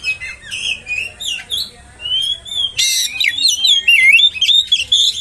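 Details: Oriental magpie-robin lure song to trigger other magpie-robins; softer scratchy notes at first, then a harsh buzz followed by a long rising whistle and bright warbled phrases.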